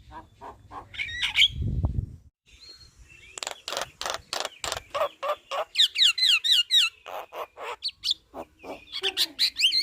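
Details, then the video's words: Javan myna chattering loudly as a master recording for training other birds: harsh rasping bursts repeated about twice a second, mixed with short rising whistles, after a brief low thump near the start. "Burung Jalak Kebo Gacor Ngoceh Bikin Ribut Semua Burung- Masteran Burung jalak"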